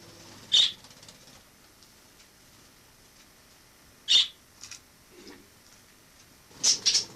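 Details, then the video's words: Wild sparrow kept indoors after entering through a balcony in autumn 2006, staying until summer 2007; three short, high chirps spaced a few seconds apart, the last one doubled, with faint rustles between. "Wild sparrow in my home"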